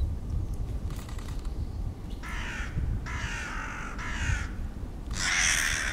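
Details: Hooded crows attacking a Ural owl, Moscow Main Botanical Garden, 28 February 2011: four harsh, rasping caws of half a second to a second each, close together over a low background rumble.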